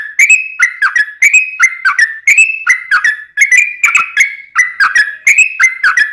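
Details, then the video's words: Long continuous ropelan song of a yellow-vented bulbul (trucuk), meant as a training model and to lure wild birds; rich liquid whistles repeated roughly once a second, each with bright metallic accents above. "Kicau Trucuk Ropelan Panjang Ngelituk Tanpa jeda buat Masteran"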